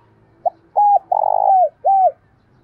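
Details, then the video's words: Decoy spotted dove with a thổ đồng style voice, calling to lure wild doves in. It gives a short soft note, then a two-part coo, then a long throaty rolling coo, and ends on a clear falling coo. "Chim Cu Mồi gáy Gọi, Thúc bổi rừng về cội lẹ"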